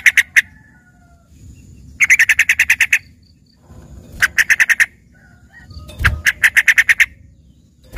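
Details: Singing yellow-vented bulbul with a trained 'isian' repertoire likened to a green leafbird: three fast bursts of ten or so clipped chattering notes each, separated by quiet gaps over a low hum.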